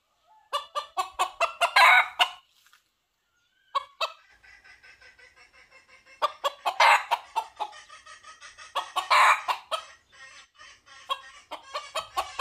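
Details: Red junglefowl calling for a female, with bursts of rapid clucks climbing into rasping crows, spaced by quieter stretches of faint, steady clucking; three such bouts occur.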